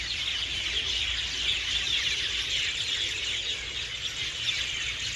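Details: Many birds roosting at evening in garden trees, chirping loudly: continuous high, squeaky twitters overlapping densely, steady in level, over a quiet low hum.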